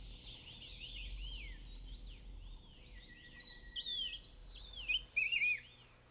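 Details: White-whiskered Laughingthrush, an endemic of Taiwan, sings in misty mid- to high-elevation forest: loud, rounded, whistled notes swoop up and down, tangled with chirps from other forest birds over a faint steady hum.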